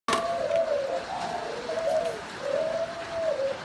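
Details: Spotted doves (Thai-type cu gáy), a successfully paired breeding couple: a very strong male with red dragon-scale patterning and a grey dragon-scale female. One gives soft, low hollow coos in rolling series of three or four notes, with faint background hiss.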